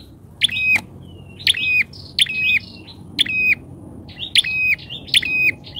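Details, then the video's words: Bar-winged prinia used as a lure for wild prinias, described as very active and loud, so loud that wild birds dare not approach: sharp chirps with buzzy, chattering notes, repeated in bursts about every second over low background rumble. "PIKAT PRENJAK!!..PRENJAK LIAR KALAH PAMOR DGN PIKATANYA...GACOR"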